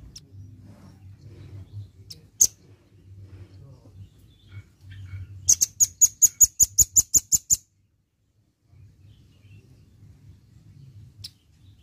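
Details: Red-billed nuthatch singing vigorously, used as a lure recording for keeping. A few isolated sharp high clicks, then a steady series of about ten piercing, evenly spaced high notes over two seconds, over a continuous low hum.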